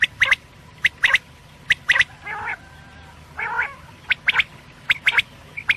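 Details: Quail call, meant for night: sharp, clicking double and triple notes repeat roughly every second, broken twice by a short nasal, buzzy call.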